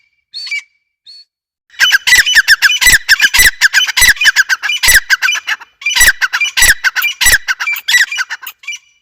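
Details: Grey francolin calling: two faint high notes, then a long run of loud, harsh, rapidly repeated squawking notes over several seconds, a brief pause, and another dense burst of the same grating calls.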